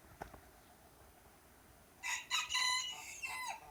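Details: Morning crowing from a group of roosters: near-silence for two seconds, then a bright, hoarse crow with several drawn-out syllables that fades at the end.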